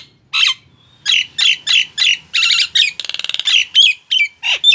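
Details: Nias hill myna mixing squawks and bubbly whistles, with a quick rattling trill in the middle. Notes come in irregular bursts in a quiet room. The sound is played to get silent mynas to start singing.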